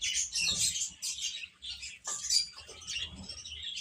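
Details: Chicks eating and playing, constant overlapping high peeps with brief dips in loudness, punctuated by a couple of sharp, clicking sounds.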